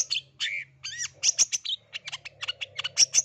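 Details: East Java blangkon long-tailed shrike in busy, varied song: harsh scratchy notes, a downslurred whistle, sharp high ticks and quick clicking bursts packed close together, over a steady low hum.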